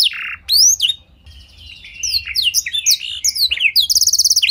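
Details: Canary with blackthroat song filling: a loud harsh note, a brief pause, then descending whistled slurs building into dense chirping and ending in a fast, even high trill.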